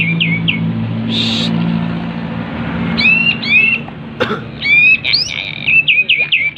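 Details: Kapas tembak in breeding condition with tail spread, singing: short bursts of quick rising whistled notes, mostly in the second half, over a steady low hum and a noisy background.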